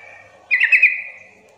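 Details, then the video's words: Lure call of a sooty-headed bulbul meant to get rarely singing untrained bulbuls calling back and forth: a single lively, gurgling phrase of several rapid warbled notes, fading into a faint steady hum. "pancingan agar trucukan bahan cepat gacor bunyi Sahut sahutan"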